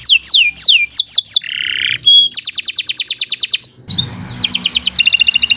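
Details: Singing canary recorded as a master for teaching other birds: looping downward whistles, a harsh buzzy note, a quick rolling trill of repeated syllables, then a rising slur leading into another rapid trill.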